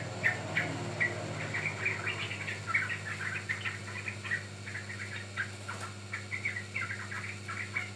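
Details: Lure and training recording of a yellow-vented bulbul, locally trucukan: near-continuous chatter of quick, bright, bubbling notes, some warbled and slurred, running throughout over a constant low electrical hum.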